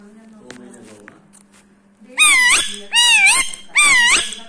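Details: Indian ringneck parrot, a seven-year-old rescued male in India, rubbing its beak; after soft clicks, three loud harsh rising-and-falling screeches about a second apart over a steady low hum.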